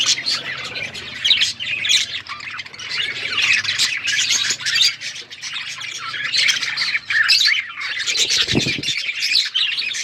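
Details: Budgerigars eating seeds, kept as pets, keep up a continuous scratchy, warbling chatter of overlapping chirps and squawks for ten seconds, with a brief low thud near the end.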